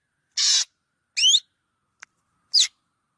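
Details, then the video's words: Black drongo calling: a harsh broadband rasping note, a sharp rising-and-falling whistled note, a tiny click, then a short falling whistle, spaced under a second apart against a silent background. "tiếng chim chèo bẻo kêu"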